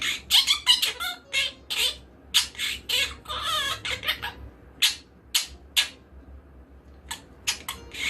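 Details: Pet monk parakeet (quaker parrot) giving a run of harsh, squawking calls, rapid bursts at first then spaced single squawks toward the end, faint room hum beneath.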